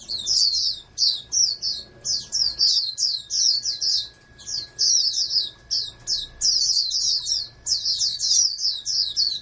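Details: Captive oriental white-eye, a hopeful national-level contest bird, pours out a high, rapid twittering song in short bursts of slurred chirps, with a quieter pause midway and a steady electrical hum.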